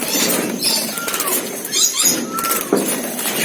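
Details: Asian glossy starling, known locally as cucak keling or perling kumbang, singing actively: thin clear whistles, one level and one gently falling, mixed with high bright notes and harsh crackling, rasping noise throughout.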